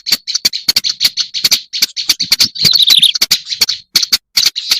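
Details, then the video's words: Black-browed reed warbler lure recording: dense, harsh, scratchy chatter of buzzy notes broken by sharp clicking ticks, delivered rapidly with very short pauses, plus a brief higher squeaky run near the middle. "Suara pikat burung kerak basi alis hitam"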